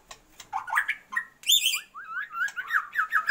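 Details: Female Oriental magpie-robin calling to stir a male's breeding urge: a few rising whistles and a sudden harsh, high squawk, then a steady series of short, slurred whistled notes.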